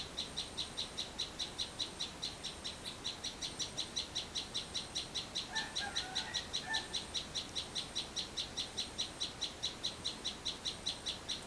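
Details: Sunbird singing behind a house in the village garden, a long, fast, even string of high, sharp chips, about two and a half per second. A few lower, softer chirps from another bird come in midway.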